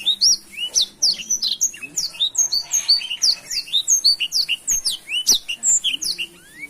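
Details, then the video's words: Black-throated canary in full gacor song, a busy rapid string of piercing high chirps, trills and upswept whistles delivered nearly without pause, with a faint low hum beneath. "Suara Asli Blackthroat Gacor"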